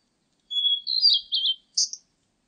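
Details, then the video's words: Blue-and-white Flycatcher, recorded in 2020: a high thin whistle leads into quick warbling, twisting notes in three bursts, then a separate short buzzy high note, with no other sounds. "큰유리새, 1번 듣기, 곤충소리, 새소리"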